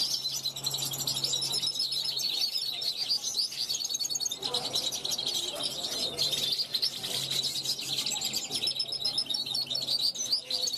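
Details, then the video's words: Large-type European goldfinch from 2021 calling from a balcony to wild goldfinches passing; dense, chattering high twitters and trills throughout, over a steady faint low hum. "Jilguero mayor pichón del 2021 repasando"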